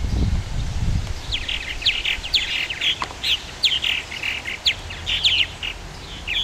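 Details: Purple martin colony in Somerset County, Maryland: several birds give a steady stream of rich, gurgling chirps and warbles over one another, with a low rumble early on.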